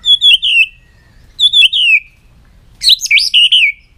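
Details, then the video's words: White-rumped shama singing loud, high, slurred whistled phrases that slide downward, three phrases separated by brief pauses. The last is a quicker, more intricate trill. "chòe lửa hót giọng dây dài"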